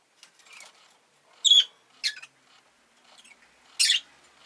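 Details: Caged rosy-faced lovebird on the day an egg appeared, uttering three brief harsh chirps spaced irregularly, with quiet rustling between them.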